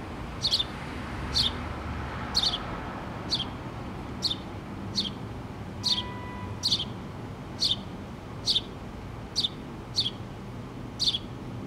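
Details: Two baby house sparrows and their mother at a pole nest on 8-3-2017. A long run of about thirteen short, high, descending chirps, nearly one per second, with a brief faint tone midway and a soft background rumble.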